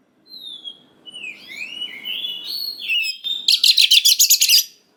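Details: Oriental magpie-robin in full song, a lure to stir young wild-caught birds into replying: clear sliding whistles rising and falling, followed by a fast series of harsh buzzy pulses, with faint background hiss.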